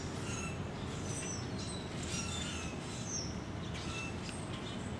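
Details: Flock of a few hundred Brewer's blackbirds congregating in trees along Little Fishweir Creek at 7:50 am on November 11, 2015, flitting about and puffing up feathers; scattered thin, high chips and squeaky notes over a constant low rumble.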